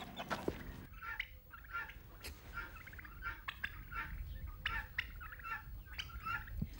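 A male turkey gobbles in quick, rattling, gurgling bursts, repeated again and again over several seconds, with faint farmyard noise behind.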